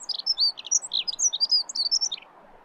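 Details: A Dunnock sings a fast, high, jingling warble of squeaky notes that runs for about two seconds without pause, then stops, over faint background hiss.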